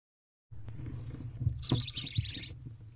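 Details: Barn owl owlets in a nest box at 9:53 pm on 15 April 2023, hungry as their mother feeds them; one drawn-out, breathy, high hiss lasts about two seconds over a steady low hum and faint rustling.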